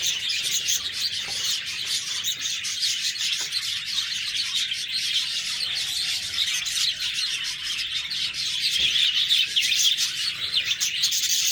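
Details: Nearly twelve seconds of budgerigar chirping, a dense wall of high twitters and warbled notes that grows a little louder toward the end.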